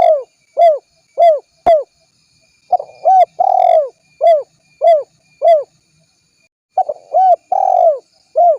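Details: Spotted dove calling, used as a lure: short, low, arched cooing notes repeated in quick bursts about every half second, some closely doubled, with faint high clicking ticks between them.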